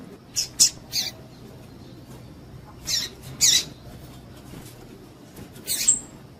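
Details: A female double-collared seedeater calls to get males excited: short, high, slightly buzzy chips in loose pairs and singles, the last ending in a thin drawn-out whistle.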